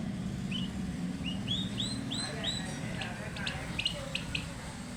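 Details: Turkey chicks peeping in a run of clear, rising whistled notes in the first half, followed by scattered sharp clicks and brief voices over a low background hum.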